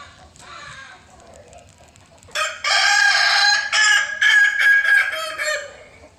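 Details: A Kukuak Balenggek cock gives a long multi-part crow, several loud harmonic segments strung together, preceded by a fainter call and quiet background.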